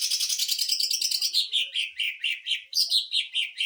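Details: Greater green leafbird in 'sewing machine' rapid-fire song, for tutoring other birds and stirring their emotion: a high fast-pulsed trill sliding into lower, evenly spaced chattering notes, then rising again.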